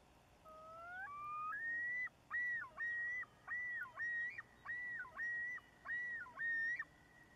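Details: Male loon yodeling, watched from far off in Nevis, Minnesota: a rising whistled introduction, then a series of about eight repeated looping, swooping whistled phrases, each near one second long, loud and clear over faint background hiss.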